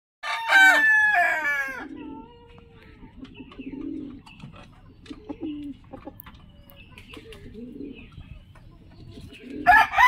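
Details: A rooster crows in the morning, one of twenty different roosters: a loud, harmonic, rising then falling cock-a-doodle-doo lasting about one and a half seconds, followed by soft low clucking and another crow starting at the end.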